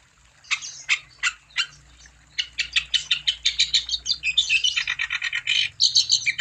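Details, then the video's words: Wambi bird delivering a fast, chattering song to prompt other wambi to sing; a few separated sharp notes open, then a dense rapid run of high clipped chirps and trills, roughly three per second. "Burung Wambi Gacor Untuk Umpan Supaya Wambi Anda Tambah Gacor"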